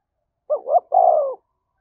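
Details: A spotted dove gives one fight-provoking coo phrase in the thổ voice style: a quick rising double note, then a longer steady coo that slides gently down. Quiet surroundings.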